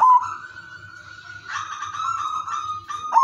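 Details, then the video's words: Perkutut (zebra dove), udanmas silver, singing a melodious lure song meant to set other zebra doves singing; a long sustained mid-pitched cooing tone, rougher and wavering midway, ending in a clear rising note over a faint low hum. "perkutut udanmas silver irama merdu spesialis pancingan bikin semua perkutut ikut manggung"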